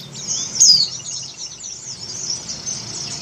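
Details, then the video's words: Breeding-condition female Oriental white-eye calling for the male. One loud, high, falling chirp early on, then quieter continuous high twittering, with low background rumble. "Suara Burung PLECI BETINA Birahi MEMANGGIL JANTAN"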